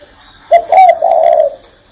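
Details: Spotted dove on a person's hand delivering a single cooing phrase: a quick low note, a stressed higher-sounding note, then a long, even, hollow coo.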